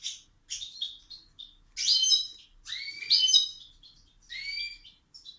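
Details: Male pet bird in a cage singing as a person comes into the room. Bursts of high chirps and bright, rising whistled notes alternate with short pauses, about one phrase each second. No background noise.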